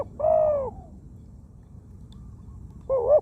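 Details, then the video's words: Zebra dove used as a decoy bird, described as a wild bird with a small voice and many coos; one long arched coo, a pause, then the start of another dipping coo note. "เสียงนกเขาใหญ่ นกเขา นกเขาชวา"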